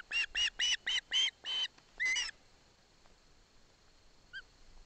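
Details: Osprey nest scene in Barlinek Forest, chick taking fish from its father with the mother present: quick run of about seven loud, ringing chirps ending in a longer note, then near silence with one faint call.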